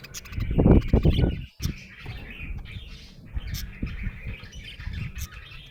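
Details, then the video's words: Happy budgie chirping with a rapid, scratchy warble after several loud thumps and rustles at the start, then continuing over faint background knocks. "Happy budgie chirping sound"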